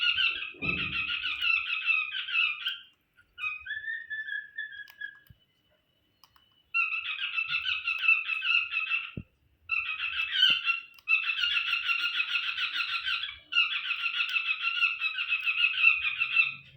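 Cockatiels chattering in long runs of bright, buzzy chirps with short pauses between bursts.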